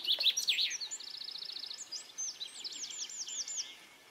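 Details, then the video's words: Two pairs of Eurasian three-toed woodpeckers (Picoides tridactylus) quarrel in an apparent territorial boundary dispute, females then yellow-crowned males, on a hilltop in Lillomarka, Oslo, Norway, 15 April 2022: quick, even run of high ticking notes, then squeaky, arched notes about five per second. "Tretåspett Picoides tridactylus"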